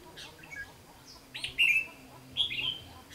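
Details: Red-whiskered bulbul used as a lure bird in a fighting trap, recorded 15 June 2016: two short bright whistled phrases, the second a slurred downward note, over a quiet background.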